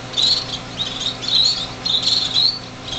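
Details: Baby finches that had just left the nest, six together in a greenhouse in January: a few louder high chirps and slurred call notes in uneven bursts, low hum underneath.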